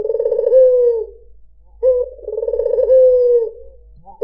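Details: A white puter dove repeats its rolling coo twice: a pulsing, purring stretch that turns into a smooth falling tone, separated by a second of silence, with the start of a third phrase at the very end.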